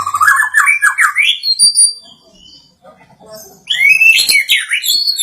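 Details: White-rumped shama growing agitated after hearing a played sound: loud rippling, warbling run of rising notes, a quiet gap, then another rapid burst of wavering whistles and chatter.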